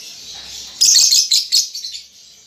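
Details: Young lovebird under five months old practising its ngetik and ngekek chatter: a short burst of high, scratchy chirps, three quick clusters followed by fainter trailing notes.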